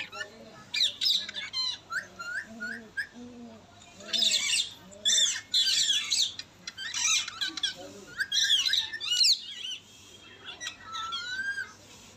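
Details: A pet Indian ringneck parrot (rose-ringed parakeet) in natural talk gives harsh, shrill squawks and quick whistles, mixed with lower, voice-like babbling phrases, all in rapid bursts.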